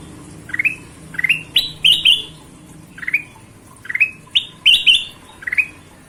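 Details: Energetic gacor singing from a golden-vented bulbul, offered as masteran material: bright rising whistled phrases of two to three notes, repeated at uneven intervals, some notes run together, over a quiet low background.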